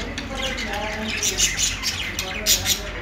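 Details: Budgie song as rapid scratchy chirping with bright squeaks, swelling into louder bursts about twice a second.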